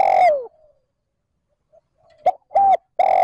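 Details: Decoy spotted dove cooing in the continuous trơn ròng manner to draw wild doves. The tail of a falling coo, a pause with faint notes, then a clear double hoot and a long coo beginning again.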